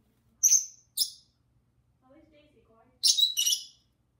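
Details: Two pet lovebirds calling while they talk and sing: sharp, very high chirps, two short ones then a louder double burst near the end, with soft low murmuring between them.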